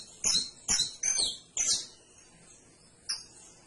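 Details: Canary giving four strong, high chirped notes in quick succession, followed by a pause and a single final chirp.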